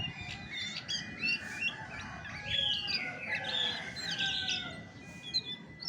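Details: Chestnut-backed thrush of damp forest near water, singing rich whistled and slurred phrases that rise and fall, with scattered sharper notes over a steady low hum.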